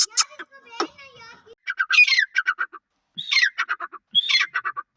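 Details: Black francolin pair (black or Irani teetar) calling in short bursts of harsh scratchy notes ending in stuttered clicks, three phrases about a second apart, after a brief stretch of human speech.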